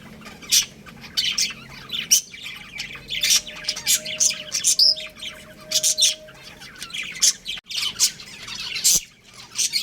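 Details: Breeding pair of pet budgies chattering, sharp high chirps and harsher squawky notes scattered irregularly, with a faint steady tone running underneath for a few seconds.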